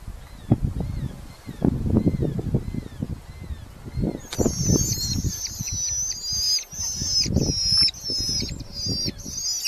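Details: Red-footed falcon chicks in a nest box within a large breeding colony in Hungary, July 2025, parents bringing beetles; thumping and rustling first, then high, squealing, wavering calls overlapping from several young.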